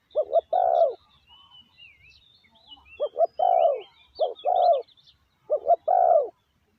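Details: Caged decoy spotted dove luring wild doves, giving low coo phrases of two quick notes and a longer note, repeated about every 1.5 seconds, while small birds chirp and twitter thinly in the background.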